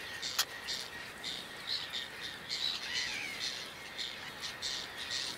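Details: Whiskered tern calling in Toledo province, Spain, in June 2022: a run of short, harsh, rasping notes repeated about every half second, with one sharp click near the start over a steady natural background hiss.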